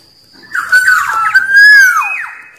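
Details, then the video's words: A wild black-naped oriole, whose song is used to challenge rivals, delivers one flowing phrase of liquid whistles swelling into a loud arched note and ending with a quick falling slur. "Suara Burung Kepodang liar Paling Ampuh Memanggil lawan"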